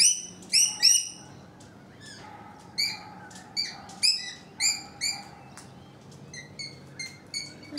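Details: Rainbow lorikeets on a balcony, with more birds on the roof, give loud, harsh, high screeching calls in short bursts, about one every half second to second, with quieter chatter between and a person talking faintly.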